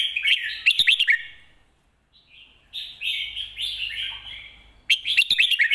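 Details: Red-whiskered bulbul singing in the style known as lak wai / mae bot: bursts of rapid, bright, slurred notes repeated at start and end, with softer warbled phrases between and a quiet pause.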